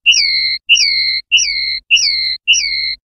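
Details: Five clear, drawn-out whistled notes from a common linnet in the clean "pardillo limpio" song style, 2021/2022 CD recording. Each note opens with a short upturn and then glides down, spaced evenly about half a second apart.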